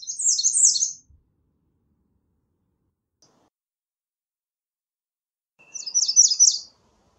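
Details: Two short phrases of the American redstart's song, each a rapid string of high, thin notes, separated by roughly five seconds of silence.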